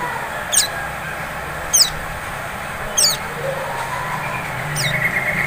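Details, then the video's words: Sunbird (sogon) in a lure recording meant to prompt singing. Single sharp, high, downslurred chips come roughly once every second and a quarter, four in all, over a steady low hum and hiss. "Pancingan SOGON ngleper cocok untuk memancing bunyi SOGON ngriwik"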